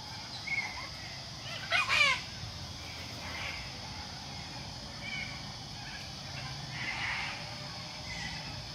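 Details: A few short, harsh, raspy screeches from sulphur-crested cockatoos in plane trees, the loudest near the two-second mark, over a steady high-pitched cicada drone.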